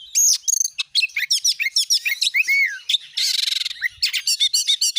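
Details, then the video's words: Oriental magpie-robin (kacer) lure song for encouraging a kept bird to sing: fast, energetic phrases of piercing whistles and downslurred notes, one harsh buzzy rasp, then more quick chirps. "jadikan burung Kacer anda cepat gacor dengan pancingan burung Kacer ini"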